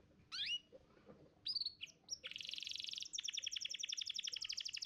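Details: Canary contest champion's training song for young birds: a couple of sweeping whistled notes, a dense buzz, then an extended rapid trill of sharp notes repeated many times per second.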